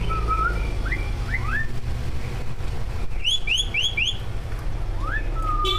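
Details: Greater green leafbirds, two captive prize birds, recorded singing full mimicked song to provoke other birds: scattered clear whistles and upslurred notes, then a quick run of four rising whistles, over a steady low rumbling background hum.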